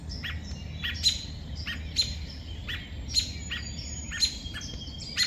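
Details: A robin crying out after losing its two chicks to a crow on a sad morning, with clearer, louder high chirps repeated about once a second, over a low rumble of outdoor noise.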